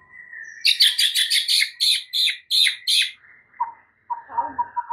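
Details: Oriental magpie-robin full-isian masteran song used to provoke other magpie-robins into replying: a thin steady whistle, then a burst of loud harsh rhythmic notes about three per second, ending in low chattering pulses.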